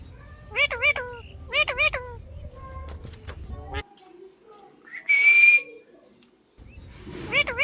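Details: Pet parrot repeating a two-syllable nasal word several times in quick pairs, with a bright held whistle in a pause and a low hum behind.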